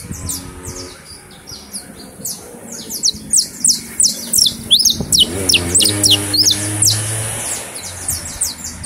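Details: Criollo canary singing while held in the hand in Valencia: rapid, high downslurred notes and short trills repeated at a lively pace, with men talking in Spanish in the background.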